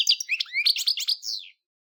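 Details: A brief burst of goldfinch song: a few sweet twittered notes and a buzzy trill lasting about a second and a half, then silence.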